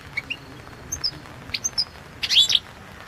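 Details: A Balkan European goldfinch in a 2022 world championship song recording: scattered single high chirps and whistles, then a short, louder burst of twittering slurred notes near the end.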